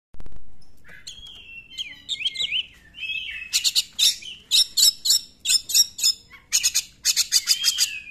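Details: Oriental magpie-robin song used to provoke other magpie-robins into singing: whistled slurred notes near the start, then rapid loud bursts of sharp, buzzy, high chattering phrases, repeated in quick succession.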